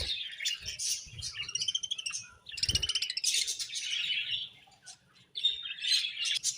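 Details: Budgerigars kept as pets chirping in the morning, a busy stream of bright, buzzy twitters and trills with one short lull, plus faint low rustling.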